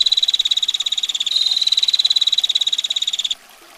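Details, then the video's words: Gacor female bar-winged prinia in 'ngetir' style, long and tight: a harsh, fast, buzzy pulsed trill runs unbroken for over three seconds, then stops abruptly, leaving faint background hiss. "Prenjak Betina Gacor Ngetir Rapat Tajam Kasar Roll Panjang"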